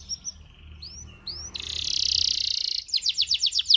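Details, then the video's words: Excited male canary singing to train young canaries and stir females: rising whistled slurs, then a long buzzy high roll, ending in a fast rattling trill of repeated swept notes. "اقوى تغريد ذكر كناري حامي نار 🔥 ولا اروع للتسميع صغار الكناري وتهيج الاناث"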